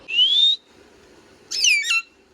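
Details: Pet parrot, either a ringneck or a raw parrot, gives a rising whistle of about half a second, then after a pause a harsher two-part squawky whistle; faint background hum.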